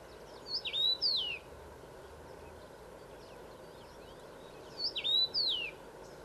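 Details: Two male common rosefinches in Szeneta, Transylvania, Romania: two separate clear, whistled phrases about four seconds apart, each a short series of slurred notes dipping then rising, over steady low background hiss.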